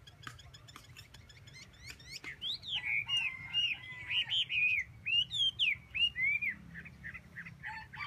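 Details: Chinese hwamei singing a run of loud, slurred whistles, rising and falling notes repeated rapidly, starting after a few faint chips and growing stronger through the middle, with a low background hum.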